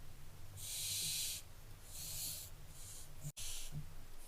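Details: Barn owlets on 15 July 2024 producing repeated breathy hisses. A long, loud burst is followed by several shorter, softer ones, with a brief click-like dropout near the end.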